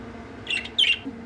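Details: Budgerigars outdoors: two quick, scratchy chirps, high and slightly warbled, follow one another.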